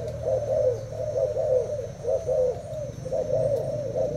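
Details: Contest cooing by a caged Thai-type spotted dove facing a decoy: steady low, warbling coos following each other closely with little pause, over a faint low hum.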